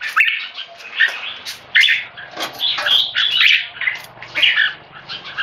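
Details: Agitated keke calls of a tame male red-whiskered bulbul disturbed by people: irregular bursts of scratchy high chatter, roughly one burst every second or two, over a faint low hum.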